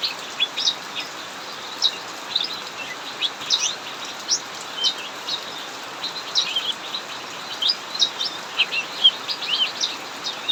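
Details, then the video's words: During heavy rain in an aviary, a cucak mini chatters on without pause: scattered high chirps, quick up-and-down notes and small trills over a continuous wash of falling rain. "Burung cucak mini Ngacor saat hujan deras"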